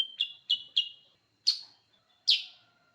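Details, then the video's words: Sooty-headed bulbul singing: a quick triplet of sharp, bright chirps, then two louder ringing notes spaced under a second apart, in a quiet setting with a faint steady tone. "Suara Burung Kutilag Sutra Super gacor"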